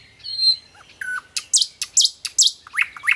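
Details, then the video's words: Nightingale singing a rich, varied phrase: a whistled opening, then a fast run of sharp, loud chirps and rising notes. "singing nightingale"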